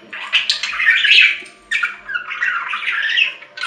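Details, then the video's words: Budgerigar giving raspy, squawky warbled phrases, a brief silence, then more grating chatter sliding up and down. "Budgie Sounds"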